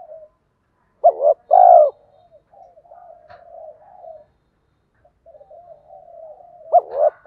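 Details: Spotted dove pair, male and female, calling to provoke training birds. A double hoot and a loud long coo, followed by soft murmuring notes and a faint start of the next phrase.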